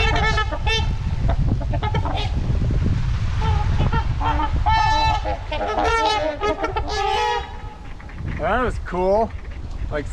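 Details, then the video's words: Wintering trumpeter swans on the Huron River in Ann Arbor, Michigan, in February while being fed corn; repeated nasal honks from several birds overlapping, with a man speaking and low rumbling background noise throughout. "Lots of Honking - K10 Canadian Pen - 28 Trumpeter Swans"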